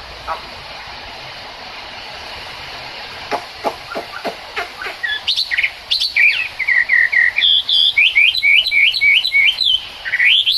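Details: Chinese hwamei song in rain: after several seconds of steady rain hiss with scattered clicks, the bird begins a fast series of repeated slurred whistles, about three per second, growing louder.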